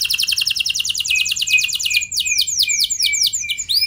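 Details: A canary sings to provoke other canaries into singing: a rapid high trill of sweeping notes, followed by slower, louder swoops with accents above.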